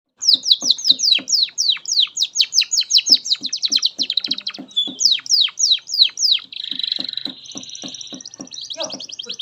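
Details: Canary song used as a master recording for training young canaries: rapid series of high descending whistled notes, buzzy trills and rattling phrases, with a faint low pulsing beneath.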